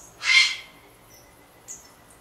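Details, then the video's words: Grey Heron (Ardea cinerea) gives one harsh, hoarse screech lasting about half a second, followed by a faint, thin high note. "Grey heron (Ardea cinerea) Garça-real ou cinzenta"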